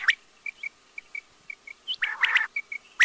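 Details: Quail calling: a series of soft, short, clipped pips repeated about every half second, then a louder burst of harsh, buzzy notes, ending with a sharp loud note.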